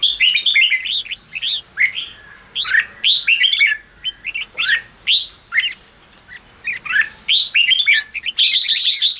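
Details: Red-whiskered bulbul in 'ché' chattering style, played to rouse low-spirited, newly wild-caught birds into singing; rapid run of short warbled, slurred whistled notes, dense almost without pause, ending in a bright high burst.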